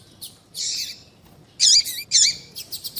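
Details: Female double-collared seedeater calling for males. A buzzy, rasping note is followed by two strong, ringing, down-slurred chirps, then a few quick faint ticks.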